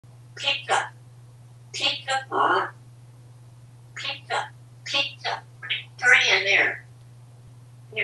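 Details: Pet male African grey parrot, hatched in 1997 and kept at home in Texas, talking while admiring pizza. Short speech-like phrases come in clusters of syllables with pauses, over a steady low electrical hum.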